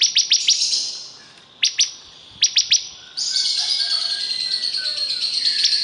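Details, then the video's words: ['Bar-winged prinia gives a short burst of rapid high notes and a few paired chips, then a sustained thin, buzzy high trill fills the remaining seconds.'] "Suara Burung Ciblek Kristal super gacor"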